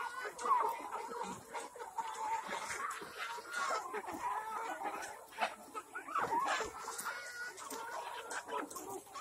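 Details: Black Kadaknath chickens on a farm in Cuttack, Odisha, India, producing continuous layered clucks and short squawks from many birds at once, an even, unbroken background chatter throughout.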